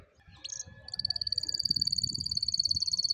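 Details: Canary song played to teach silent young canaries to sing: a few short high notes, then a steady, very rapid trill of bright, even notes that holds at one high pitch. A soft low rumble runs underneath.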